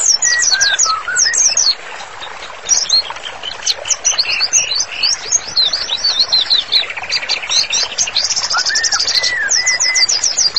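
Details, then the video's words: White-rumped shama singing vigorously as a master for training: rapid high notes and chatter, a brief pause, then dense trills and looping whistled slurs. "MURAI BATU GACOR, MASTERANNYA COCOK BANGET UNTUK TERAPI"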